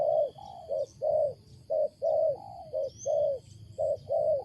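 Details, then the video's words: Loud, strange cooing of a wild spotted dove, soft rounded hoots in pairs and longer drawn notes repeating about once a second, a thin high bird chirp heard briefly in the background. "BURUNG LIAR SUARA BESAR || MENGUKU NYA ANEH"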